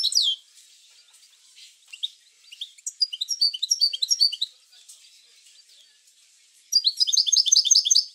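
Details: European goldfinch singing to stimulate other goldfinches: scattered high chirps build into a rapid twittering phrase, a quiet gap, then another fast burst of bright, tinkling notes.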